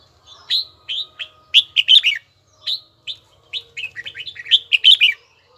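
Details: A red-whiskered bulbul trains its ringing, bell-style voice. Clear downslurred whistles come one by one, then build into quick bubbling clusters. Two such phrases play back to back against a quiet background.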